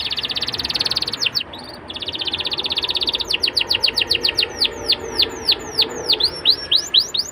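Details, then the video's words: Canary singing to lure young canaries into song, opening with a dense buzzy trill, a short pause, then quick series of sharp downward-sweeping whistled notes that slow slightly toward the end. "PANCINGAN KENARI MUDA AGAR CEPAT BUNYI DAN GACOR CENGKOK ENAK! kenari Manapun akan langsung nyaut"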